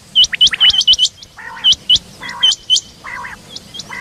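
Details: A female rain quail calling in the morning in 2023 gives sharp, upswept whistled chirps in quick runs of two to four, with lower burbling notes repeating about once a second.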